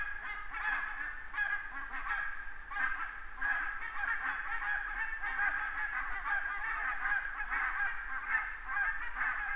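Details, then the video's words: Large flock of geese passing overhead in Estonia, recorded by a red deer webcam on 29 September 2015: dense, continuous chorus of overlapping nasal honks, irregular and unbroken from start to finish. "many Geese fly over"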